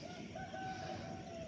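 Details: Rooster crowing nearby on an early morning in Lahore, Pakistan: a drawn-out, fairly low crow held steady and ending with a short upward lilt, heard above a constant low rumble of city background noise.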